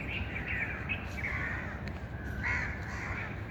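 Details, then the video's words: Bird calls: a string of short raspy mid-pitched notes, some flattened and drawn out, rising to a brighter call near the end, all over continuous low background rumble. "birds chirping sound"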